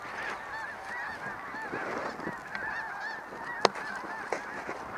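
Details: Flock of snow geese in snowy conditions, dense chorus of repeated nasal honking calls overlapping without pause, with a couple of sharp clicks or knocks.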